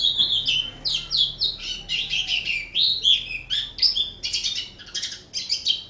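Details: An Oriental white-eye in full song, used as a tutor recording for training other birds, sings a fast, continuous run of high, thin twittering and chattering notes with a few brighter whistled squeaks woven through.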